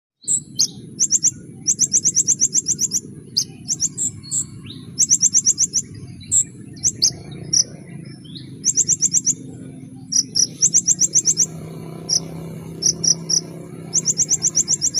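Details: Sunbird known locally as kolibri ninja, singing in full 'nembak' style: rapid bursts of very high, thin, metallic trills, tightly repeated with short gaps, over a steady low hum.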